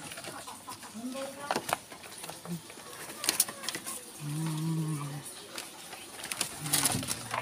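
A domestic pigeon gives low, drawn-out coos, with a person speaking and clattering noises nearby.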